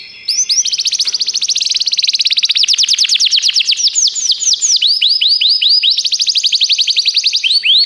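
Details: Continuous canary song recorded for training canaries: a loud rapid trill of high repeated notes, shifting into rolling phrases of curved sweeps, sustained for nearly eight seconds.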